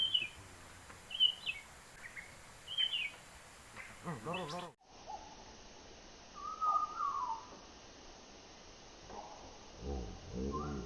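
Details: Hill prinia in Sumatra during a netting session: a few high whistled phrases, then a lower falling whistle, interrupted by rustling and handling noises.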